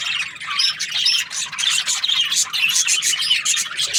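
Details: Budgies twitter and squawk rapidly, the high scratchy notes coming in quick clustered bursts with brief dips between them.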